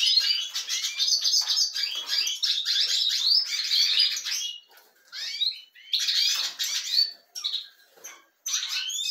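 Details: European goldfinches kept with breeding canaries sing a long run of fast, jangling twitter and buzzy notes, then break into shorter chirpy phrases with silent gaps.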